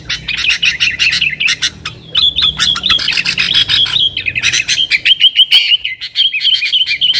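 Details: Continuously singing yellow-vented bulbul used as a call to bring wild sooty-headed bulbuls: rapid staccato chattering at first, then flowing twittered phrases with repeated short rising notes.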